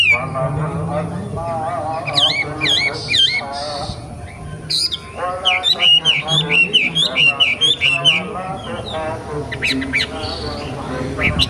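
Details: Forest-born young wambi delivering a lively jumble of sharp chirps and looping whistled phrases in quick bursts, fading briefly mid-way before resuming, against a low background hum.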